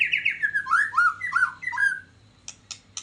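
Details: White-rumped shama lure song in the rindu rimba style: a run of loud, clear, falling whistled phrases for two seconds, then a few sharp, short clicks with pauses between them.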